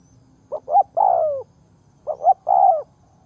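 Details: Ground decoy spotted dove cooing to lure others; two phrases, each opening with two short rising hoots and closing with a long, smooth, downward-sliding coo, over a faint low hum.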